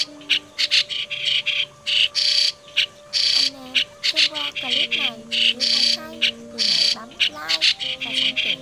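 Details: Extended white-cheeked starling lure song for the 2020 trapping season: a busy run of grating squawks and short raspy notes, with scattered downward-sweeping whistles and a constant low hum.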